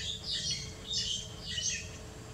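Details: Eurasian wryneck recorded 25 September 2019, giving three harsh, high, scratchy notes about two-thirds of a second apart, over a low steady hum.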